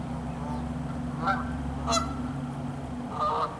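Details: Canada geese on a pond as ice spreads across it in freezing weather. Three separate nasal honks come roughly a second apart, over a constant low droning hum.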